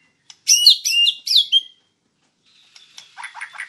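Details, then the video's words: White-rumped shama (murai batu) in a master training recording, WIKPLONG style: a loud burst of rapid, ringing trilled whistles, then after a pause a softer run of quick chattering notes. "Masteran Murai Batu Gacor WIKPLONG"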